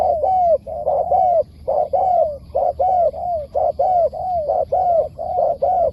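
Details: Spotted dove in the wild calling back to a decoy bird in wild style: a steady run of short soft coos and drawn, gently falling notes, roughly one every second, with low background rumble.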